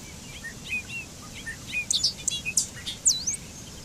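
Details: Bobolink singing a jumbled, bubbling run of short high notes, starting with soft chirps and building into quick metallic, upslurred and downslurred notes that tumble over each other, with a light background hiss.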